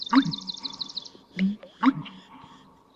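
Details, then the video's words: American Bittern pumperlunk call, loud and carrying far in calm weather: deep gulping low notes with sharp clicks, heard alongside a high, fast trill from another bird early on. "it's a three-syllable pumperlunk, or there's some other"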